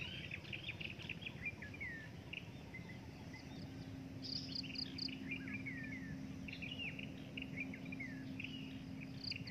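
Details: Breeding adult drongo in a busy, varied sequence of slurred whistles and chattering downward-sweeping notes, broken by a quick series of high sharp chips, with a continuous low hum behind.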